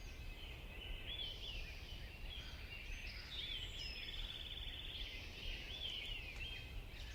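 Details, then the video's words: Backyard birds: several small birds chirp and twitter in overlapping high, quick phrases with a few brief trills, over a steady low rumble of outdoor background noise. "Backyard birds"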